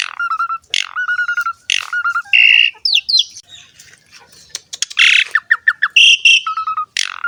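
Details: Jalak suren (Asian pied starling) in song used to lure other starlings; harsh squawking bursts alternate with low flat whistles and quick rising slurs.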